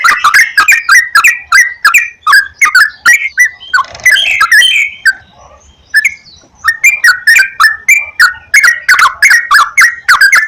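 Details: Sooty-headed bulbul song played as a lure to encourage singing: rapid run of bubbly, liquid whistled notes around mid pitch, several per second, broken by a short pause before resuming.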